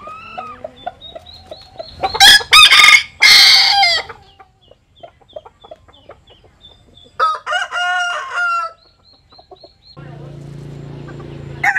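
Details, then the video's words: Jap Cuban bantam rooster sunbathing crows twice: a loud, harsh, broad crow of about two seconds, then a shorter, clearer harmonic crow. Softer clucking runs between the crows, and a low hum follows at the end. "Gà Tre Jap Cuban Tắm Nắng. Gà Gáy/ Chicken Bamboo Jap Cuban Sunbathing. Crow"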